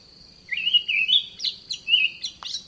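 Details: An Olive thrush, a common garden bird, gives a few clear, slurred whistled phrases, rising then dipping, over about two seconds, with a steady high insect-like hum behind.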